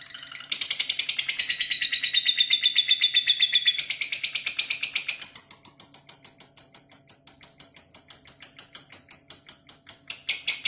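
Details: Lovebird giving a long, unbroken chattering call: a high, thin, slightly descending whistle-like trill that steadies into a rapid pulsed rattle, several beats a second, for about ten seconds.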